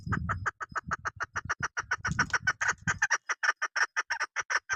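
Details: Female chukar partridge, a hunter's decoy bird, gives a fast series of short clucking notes, about five per second, with low thumping noises under the first three seconds.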